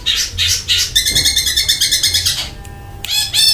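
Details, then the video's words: Cendet (long-tailed shrike) delivering a fast tembakan roll within rich gacor singing: three harsh bursts, then a rapid stacked trill pulsing about three times a second, a pause, and a final rasp. "BURUNG CENDET GACOR MEWAH ISIAN KASARAN DAN TEMBAKAN ROLL SPEED"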